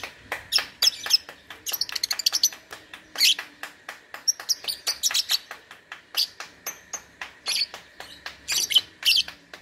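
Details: Lovebird performing in an online singing contest, two and a half months into training; a long, dense chatter of rapid shrill chirps and buzzy notes pours out almost without pause.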